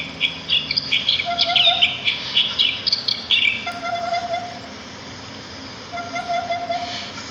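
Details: Sparrows in nature: a lively burst of high chirping fills the first half. Quieter twitters and brief, lower, drawn-out whistled notes recur every couple of seconds.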